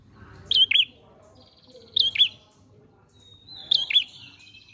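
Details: Ashy prinia lure song: three spaced phrases, each a buzzy trill ending in a quick high chirp pair, roughly every one and a half seconds, with low background rumble.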